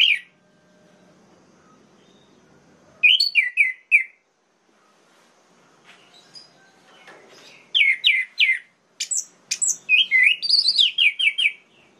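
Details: Song of an orange-headed thrush aimed at angering other males: scattered short phrases of quick slurred whistles that build into a longer, rapid chattering run of repeated notes near the end.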